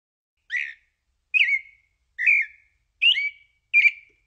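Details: Pale-breasted thrush, Turdus amaurochalinus, singing: five short whistled phrases around mid-high pitch, each slurred and slightly falling, spaced roughly a second apart with clean silence between, no other sounds.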